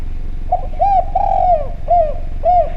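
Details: Spotted dove lure call, clear and loud: a soft introductory note, then a long arched coo, a drawn-out falling coo, and two more short arched coos at even spacing.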